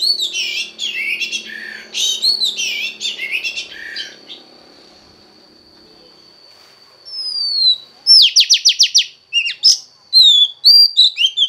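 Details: Female Oriental magpie-robin's voice used to excite a male. It opens with dense warbling phrases, falls quiet, then a falling whistle leads into a rapid burst of buzzy descending notes and more slurred whistles. A steady thin tone runs throughout.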